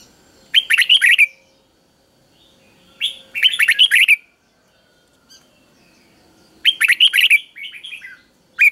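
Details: Red-whiskered bulbul singing a common three-syllable song, used as a model for teaching young birds: three bursts of bright, bubbly whistled phrases, each about a second long, every three to four seconds against a quiet background.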